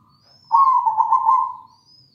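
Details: Energetic song of a local zebra dove: a single drawn-out, burry, trembling coo lasting about a second, fading at the end, with faint high whistling notes before and after.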